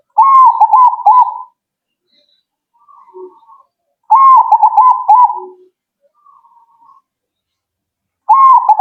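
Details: Repeated zebra dove song to prompt kept doves to reply. Loud bubbling coo phrases, each starting with a short upward slide and pulsing at one pitch, return about every four seconds. Quieter answering coos and a brief low note sound between them.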